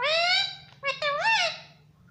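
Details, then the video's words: Talkative pet parrot said to speak "mummy papa": one voice-like utterance with a long, steady harmonic vowel, a short break, then a rising-falling syllable, fading out after about one and a half seconds in a quiet small room. "मम्मी पापा बोलता बातूनी तोता || parrot sweet voice"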